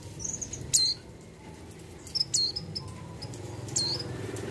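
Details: Calls of a breeding-condition female mountain white-eye to the male: three sharp, high, descending chirps about a second apart, some with a faint thin lead-in note, over a steady low hum.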